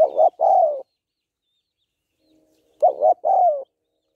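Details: Two mellow cooing phrases from a female spotted dove calling to stimulate males; each opens with a short wavering note and ends in a longer descending coo.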